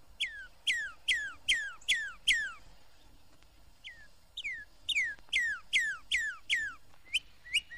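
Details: Northern Cardinal, Florida's second most familiar bird, from a 1969 record of Florida birds, singing in garden and glade: clear downslurred whistles repeated about twice a second in a run of six, a short pause, then another steady series.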